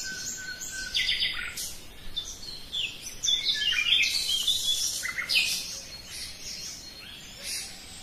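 Common nightingale song: a rapid, varied stream of bright whistles, trills and sharp high notes rising and falling, with other small birds chirping faintly behind.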